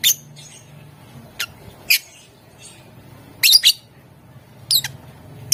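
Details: Lovebird provoking rivals to answer with ngetik and ngekek chatter; scattered piercing chirps, including a close double burst midway and single sharp notes toward the end, over low hum.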